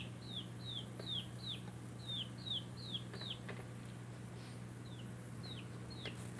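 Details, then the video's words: Backyard baby chickens giving a quick series of clear high downslurred peeps, about two or three a second, then a pause and a few scattered peeps, with a constant low electrical hum beneath. "Baby Chicks Chirping Sounds"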